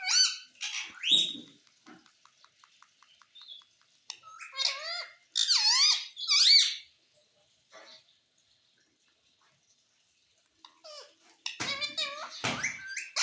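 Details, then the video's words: Parrot said to talk, saying mummy and papa: scattered squeaks and clicks, a burst of loud, swooping, voice-like syllables midway, and more squeaky notes near the end. "मम्मी पापा बोलने वाला तोता _ Mummy ka Pyaara Mitthu _ Parrot Talking Video"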